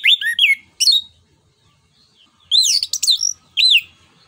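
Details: Anis kembang, the orange-headed thrush, in 'ngeplong nembak' song meant to stimulate other birds: loud arching whistles with sharp high overtones come in short clusters separated by silent gaps of over a second.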